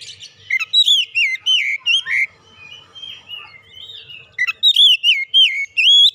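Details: Oriental magpie-robin song played as a lure to set birds singing: fast chains of looping, whistled notes, a brief softer warble, then another quick run of bright, rising and falling whistles.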